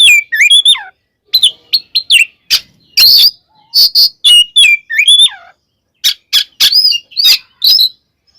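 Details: Oriental magpie-robin fight song meant to anger rival kacer: clear descending whistled slurs alternating with bursts of loud, harsh chatter, in phrases separated by brief pauses.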